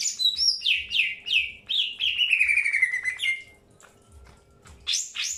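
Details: Greater green leafbird heard during early pairing, giving rapid falling whistled notes that run into a long descending slur, then a pause and a sharp high burst near the end.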